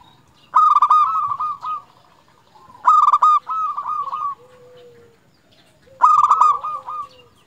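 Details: Vigorous local zebra dove from Indonesia, a recording meant to provoke other zebra doves into singing: loud stuttered cooing bursts trailing into rolling notes, three phrases spaced about two and a half seconds apart, a soft lower coo between.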